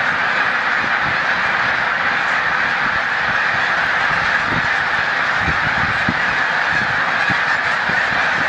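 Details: Snow geese migrating at Montezuma, New York, on 7 March 2022 near peak passage, the flock taking flight: a dense, unbroken wall of overlapping honking calls, with low thumping rumbles beneath.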